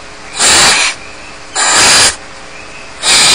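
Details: Loud, drawn-out hissing begging from barn owl chicks alone in their Starr Ranch nest. Three long rasping breaths, each about half a second, are repeated roughly every 1.3 seconds.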